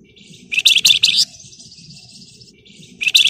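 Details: Flamboyan bird in lively, dense "ngebren rapat nyerecet" song, used to provoke other birds into singing: loud, harsh, buzzy chattering bursts, joined by a softer continuous high trill, then another loud burst.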